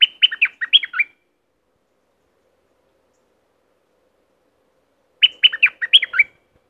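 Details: Streak-eared bulbul from southern Thailand singing two rapid, chattering phrases of stacked chirps, separated by a pause of about four seconds.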